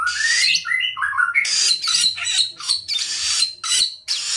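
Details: Orange-headed thrush singing vigorously: a loud, continuous, rich medley of rising whistles, rapid scratchy twitters and sharp high notes, phrases tumbling one after another with barely a break.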